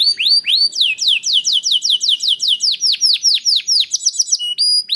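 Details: Gacor canary song used to spur other canaries into singing: a few rising whistles, then a long steady series of sweeping downslurred notes about five per second, ending in clear flat whistles.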